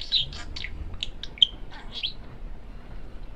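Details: Talking male pet parakeet gives a quick burst of high, clipped chirps and squeaky syllables, then falls quiet.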